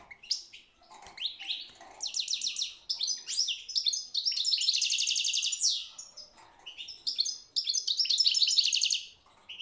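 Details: European goldfinch in full song: tumbling twitters that run together into repeated fast buzzy trills, loud and almost continuous.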